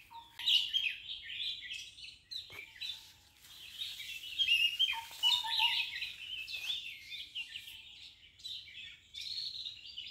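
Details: Red-vented bulbul (Pycnonotus cafer) chicks being fed by a parent beg for food with rapid, high, squeaky chirps in excited bursts, joined by a few lower, clearer whistled notes.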